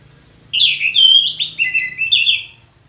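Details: Orange-headed thrush singing in the ngeplong style, a loud, rich phrase of clear whistled notes with quick warbled slurs and sharp downward sweeps, lasting about two seconds.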